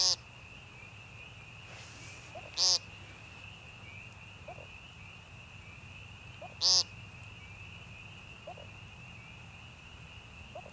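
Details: Peenting American woodcock in the northern Missouri Ozarks, Young Conservation Area, 28 March 2015. Two harsh, nasal peents four seconds apart, soft quiet notes between them, and a constant thin high-pitched drone in the background.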